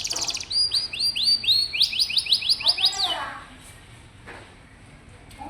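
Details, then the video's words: Canary tutor song for young canaries that seldom sing: about three seconds of rhythmic repeated high descending notes in quick series, then fading into quiet with only faint scattered sounds. "Suara burung kenari bikin hati senang, dan masteran burung kenari muda dan jarang bunyi"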